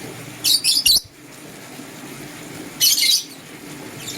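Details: Green and blue lovebirds in the morning: two short bursts of harsh, high chirps, a quick triple cluster near the start and another burst nearly two seconds later, over a quiet room background.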